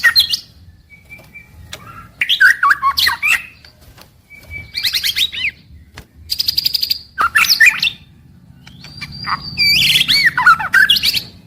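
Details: White-rumped shama singing its daily morning-to-evening song: bursts of rich warbled phrases with rapid trills and sliding whistles, separated by short pauses and a level high whistle.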